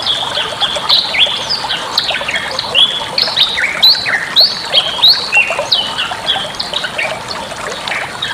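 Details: Bali myna song recorded as a master for other birds to learn: quick series of short whistled and squeaky notes repeated several times a second, uneven in rhythm, with occasional harsh squawks.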